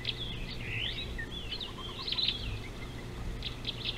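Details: A superb starling recorded on an African river wildlife live cam on 19 July 2018 gives a run of varied, warbling chatter with high whistled notes and slurred phrases, over a steady low hum and outdoor background noise.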